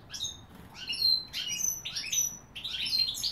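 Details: European goldfinch giving short, sharp, high twittering notes in quick separate bursts, some with thin whistled tails, against a quiet background.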